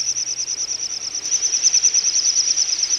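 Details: Wintering little bustard flock, Ag-Gol National Park in Azerbaijan, November 2014: a rapid, even train of sharp, high whistled pulses, about three per second, steady throughout with a light background hiss.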